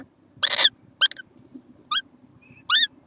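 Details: Small kookaburra, dated 6.11.14, gives a harsh broadband screech followed by short, clipped notes slurring downward, spaced irregularly under a second apart, over a steady low hum.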